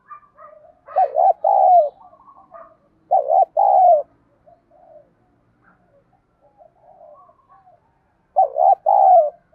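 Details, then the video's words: Spotted dove used to lure wild doves, singing the fight-provoking "giọng đồng", "thổ bầu" voice. Three loud low phrases of a quavering coo and a drawn-out falling coo, spaced a few seconds apart, with quiet coos between. "chim cu gáy giọng đồng thúc đấu, dùng bẹo bổi thì hiệu quả nhất"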